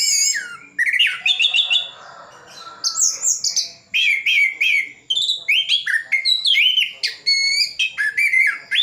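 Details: Caged orange-headed thrush from Sidoarjo, East Java, singing a full filled-in song of varied mimicry: loud whistled phrases, rapid chattering notes and buzzy trills jumping between pitches, delivered in dense bursts with brief pauses.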